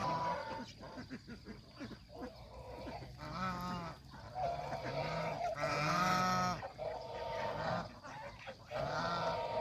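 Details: Farm geese, adult and young, feeding on fresh grass near a pond in the countryside; bursts of harsh, harmonic honks come in clusters, with overlapping calls from several birds and a low continuous background hum.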